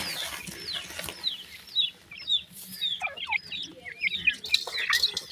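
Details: Young pheasants happily feeding, a flock of chicks peeping steadily, about two calls a second, each a thin high note slurring downward, with light clicks between.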